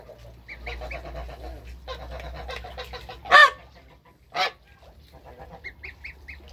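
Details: Toulouse goose mother with newly hatched goslings, including African and Toulouse hybrids, on their first day in a backyard; soft chattering calls and high thin peeps, broken by two loud, brassy honks about a second apart.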